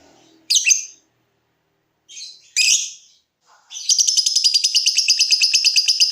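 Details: Lovebird giving two loud harsh squawky notes, then launching into a sustained fast buzzing trill of evenly pulsed high notes, recorded to coax other lovebirds into trilling.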